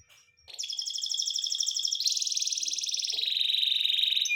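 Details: Singing canary: after a brief pause, a sustained high trill of rapid even notes starts, stepping up in pitch at two seconds and continuing as a dense rolling tour; a few soft low knocks.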